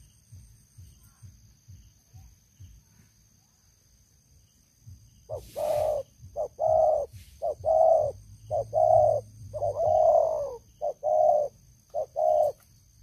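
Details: Spotted dove used as a long-kept decoy for trapping wild doves, with a loud voice. After several quiet seconds comes a run of deep, hoarse coos: short paired notes and longer drawn-out ones, about once a second, with low rumbling background.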